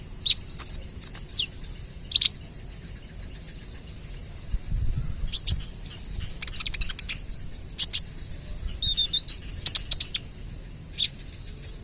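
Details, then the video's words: Trotol olive-backed sunbird singing as a lure bird: bursts of piercing high chirps separated by pauses, quick stuttering clicks, faint low murmur of a voice in the background. "KOLIBRI NINJA (Konin) Trotol Gacor Full Tembakan AK 47 - Cocok Buat Pancingan"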